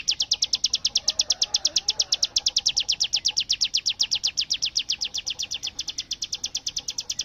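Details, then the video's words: Bar-winged prinia pouring out a 'tembakan bren' burst in full song, a sustained high, rapid rattle of crisp repeated notes, steady in pitch, continuing throughout over a quiet background. "cigun gacor full tembakan bren AK47"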